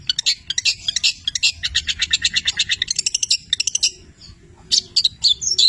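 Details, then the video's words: Actively singing long-tailed shrike of the Petir type, filled with labet and canary mimicry. A rapid, buzzy, high twittering stream pauses briefly, then resumes with scattered sharp notes. "Masteran Cendet Petir gacor, Full isian mewah Labet dan kenari"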